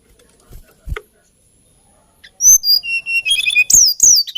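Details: Soft clicks and quiet precede a hill blue flycatcher's lilting song, a string of high whistles stepping down in pitch, then sharp rising and falling notes.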